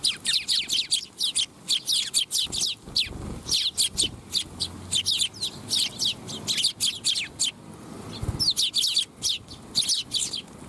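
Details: Eurasian tree sparrows gathering to be fed at a Tenmangu shrine, Japan, on 12 July 2021; a flock gives dense, overlapping high chirps and tweets almost continuously, with faint low background noise.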